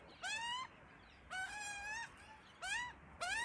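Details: Australian magpie family with chicks: four drawn-out harmonic calls, the second held longest and slightly wavering, separated by brief pauses.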